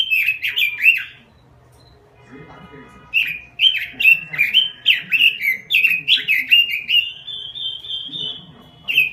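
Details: Vigorous 'gacor' robin song with clusters of fast, slurred whistled notes. A quiet spell with low murmuring background comes between bursts, and the last run ends in a long, level, sustained whistle.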